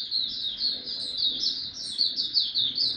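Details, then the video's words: White-eye in Singapore on 31 July 2023, returning to song after a pause: a continuous, fast, high-pitched twittering warble of tumbling chirped notes with little background noise. "Mata Puteh Buka Sing"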